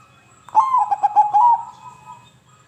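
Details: Zebra dove (perkutut) song, played to stimulate silent doves into singing: a soft cooing phrase opening with a rising note, then a quick string of stuttering, bubbling coos at steady pitch, trailing into a long fading coo.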